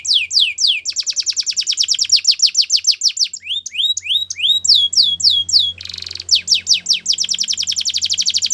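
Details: Belgian canary singing a training song: rapid trills of downward-sweeping notes, fast buzzy rolls, and a short harsh burst, varied phrases changing every second or two, with a faint low hum beneath.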